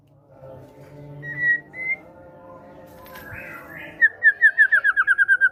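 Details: Caged White-rumped shama (murai batu), a fighter-type bird in full song with great tit (gelatik batu) material, played to coax quiet birds into singing: soft whistles near the start, then a fast run of about a dozen bright, even, repeated whistled notes.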